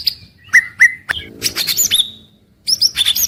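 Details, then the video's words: White-rumped shama with daily song for morning-to-evening listening: two clear falling whistles, then a burst of high chattering notes and a short gap before more bright high phrases. "Suara Harian Paling Stabil untuk Murai Batu"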